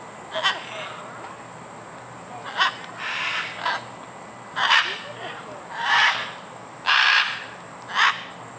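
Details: Scarlet macaws playing in trees at Tambor, Costa Rica, in February 2011 give about eight loud, harsh, raspy squawks at an uneven pace, some short and some drawn out, over a steady background hiss.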